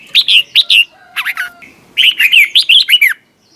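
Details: Red-whiskered bulbul competition singing used for training birds: bright, slurred whistled phrases of quick rising-falling notes, in three bursts separated by short pauses, clear and close.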